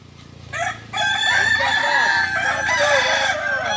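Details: Kukuak Balenggek cocks from Solok, West Sumatra, at a practice contest, after a short quiet lead-in break into a continuous loud chorus of overlapping, wavering multi-note crows.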